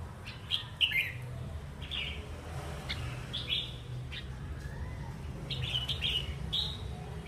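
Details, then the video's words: A wild-caught, talkative red-whiskered bulbul gives short, bright, bubbly whistled phrases in scattered bursts over a steady low rumble of background noise. "Kích chim chào mào bổi"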